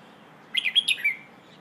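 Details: A single short phrase of Red-whiskered bulbul song in the 'phleng ho' style, used to train young birds: five quick, bubbling whistled notes in under a second, the last one sliding down, against low background hiss.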